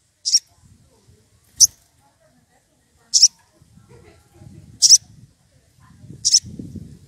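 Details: Sogon, excited and calling a rival, used as a lure: sharp, high squeaky notes repeated about every one and a half seconds, five in all, over faint low rustling and murmur.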